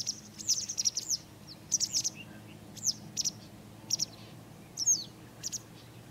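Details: A citrine wagtail (Motacilla citreola) in Israel gives sharp, high, slightly buzzy chirps in quick bursts, roughly a dozen over six seconds, over a faint low background hum.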